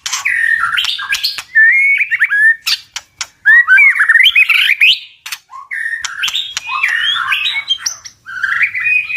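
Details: White-rumped shama in strong tạch-style song meant to incite birds to fight, delivering bursts of twisting whistles and sharp, clicking notes split by short pauses, loud and energetic throughout.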